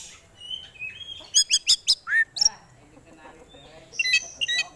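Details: Oriental magpie-robin singing, a prized contest bird with full fill-in phrases: soft rising whistles, then a fast burst of loud sharp chips and a swooping note, ending in quick high chirps.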